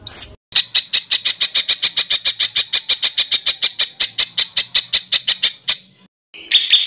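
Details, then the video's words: Songbird on a master recording used to train competition birds: a long, even series of about thirty sharp, high chattering notes delivered four to five per second, then a brief pause and another burst. "SUARA BURUNG MASTERAN BURUNG LOMBA"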